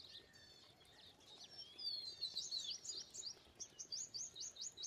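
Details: Indian pied myna calling in a quick sequence of high chirps, building to a loud run of rising, hooked notes repeated several times a second toward the end.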